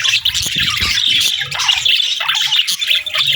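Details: Budgerigars chirping on a peaceful morning, a dense, continuous chattering warble of scratchy, squeaky notes with no pauses. A low hum runs faintly underneath.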